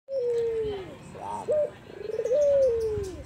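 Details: Albino Barbary dove giving soft, emotional 'kuwor besar' cooing: a long mellow falling coo, a short rolling burst, then a second drawn-out coo that rises slightly before sliding down.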